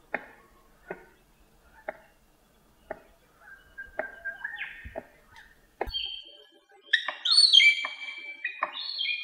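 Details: A cockatoo drumming to court a mate, tapping sharp, dry beats about once a second, then breaking into whistles and harsh, rising screeches.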